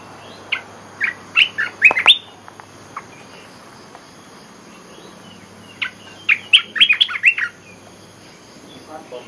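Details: Olive-winged bulbul lure song: two bursts of quick, chirpy, bubbling notes, each of six to eight notes, separated by a pause of about four seconds, over a faint steady hiss.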